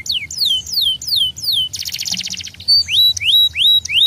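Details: Canary song meant to stimulate other canaries: descending whistled sweeps, a dense buzzy rattle, then rising-and-falling clear whistles repeated about three times a second.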